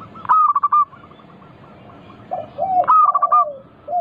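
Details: Local zebra dove, a vigorous singer, used as a lure to set other doves singing: low, soft rounded coos in the second half, after bursts of sharp, higher staccato notes in quick runs of four or five.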